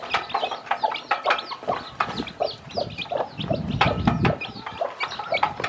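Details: Hen with a large brood of chicks hatched from eggs, teaching them to eat; rhythmic soft clucking with overlapping high chirping peeps and a low rumble midway.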